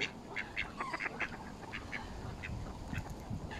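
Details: Mallards crowding to feed beside Canada geese at Smith's Pool, Fenton, England, in November 2021, captured by phone: a quick run of short, clipped calls in the first second and a half, then sparser notes over low background rumble.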